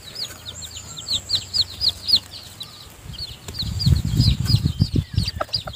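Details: A hen feeds her newly hatched chicks in the nest, where the weak chicks still stay. A fast run of rising-falling high peeps is followed by dull low thumps and scuffling, with peeping continuing over them.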